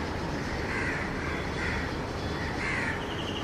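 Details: A baby white-throated kingfisher gives three harsh, rasping begging calls to its parent, about one a second, over steady low wind or traffic rumble; uploader thinks another adult, presumably the mother, calls in the background.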